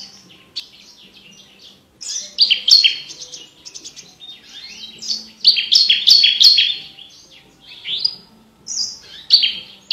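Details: Tutor recording for competition birds: a branjangan, the Javan bush lark, prized for clear, crystal vocals, starts quietly, then pours out dense, high, twittering phrases of slurred whistles and chirps, pausing briefly between bursts.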